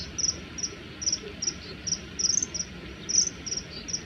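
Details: Common kingfisher males in a territorial dispute, giving threat calls during an aerial fight with hovering: thin, very high, short piercing notes repeated about every half second, some in quick doublets, over steady low background hiss.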